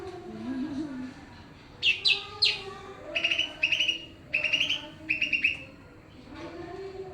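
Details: Pakpak greater green leafbird in full song amid noisy surroundings, giving clusters of clear, high chirped notes in short bursts of two to four, separated by pauses, over constant low hum and faint lower sounds.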